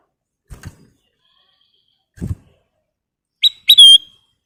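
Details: Lively ruby-throated bulbul used as a lure and tutor recording: two dull knocks at first, then near the end a pair of quick upswept notes sliding into a clear, sustained high whistle.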